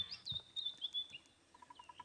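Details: White-browed Scrub Robin singing on an African morning around sunrise in a game reserve: bright, high whistled phrases that slur up and down, followed by a quick, even run of dry ticks from a bearded woodpecker.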